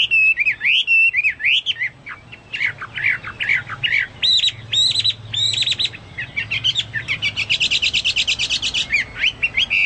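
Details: Chinese hwamei singing vigorously, its song likened to cucak Papua or cucak mas: loud, fluid whistled phrases rising and falling, then clipped repeated notes and a fast trilled run near the end, with short pauses between phrases.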